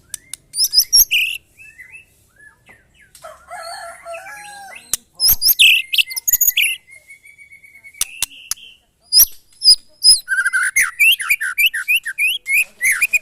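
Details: White-rumped shama singing during a mental test with neighbours' birds. It gives loud, varied phrases of sharp chirps and a long rising whistle, then a fast run of high slurred notes near the end.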